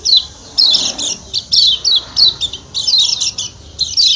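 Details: Lombok white-eye, called kecial kuning, giving 'ciak ciak' calls: dense runs of shrill, falling chirps in quick bursts separated by brief pauses.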